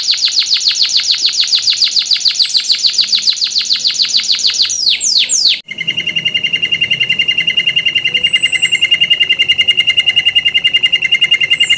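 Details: Canary song played as a lure for other canaries: fast rolling trills and rapid repeated high notes in long runs, switching after a brief break to a thinner, steady high trill.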